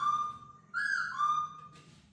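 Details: Laughingthrush let loose inside a house for the first time, a long steady whistle followed by a richer phrase dropping to a sustained lower note, with faint low hum behind.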